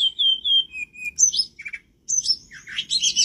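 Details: Blood-breasted flowerpecker (tledekan gunung) singing vigorously, recorded as tutoring material for caged songbirds; thin high whistled notes held level then stepping down, followed by sharp buzzy chips and a dense burst of high twittering phrases.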